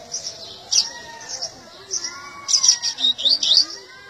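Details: Seedeater delivering a high, rapid series of clipped, rising chirps near the end, after softer spaced notes, with other birds' whistles beneath.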